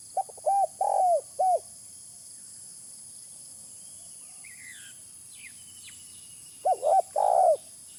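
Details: Spotted dove lure call: a run of three mellow coos, silence, then another coo phrase ending in a longer note, while a few faint higher chirps from other birds sound in between.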